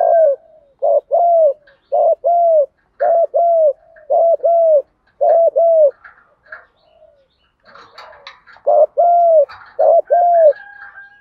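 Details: Spotted dove gù đấu (fighting coo) for luring wild doves: repeated paired mellow hoots, each pair a short note then a longer falling one, about once a second, with a brief break of rustling and faint chirps.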